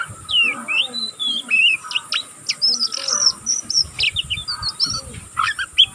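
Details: A young oriental magpie-robin, still learning, twitters without pause: dense run of whistled slurs, buzzy notes and quick chips, with faint low background noise.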